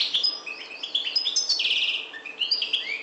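A European goldfinch sings a fast, unbroken run of bright, liquid twitters and tinkling notes, with a brief buzzy rattle midway. No other sounds stand out.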